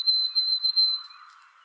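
A White-throated Sparrow gives a clear, pure whistle held on one high pitch, broken into a few pulsing notes before fading out.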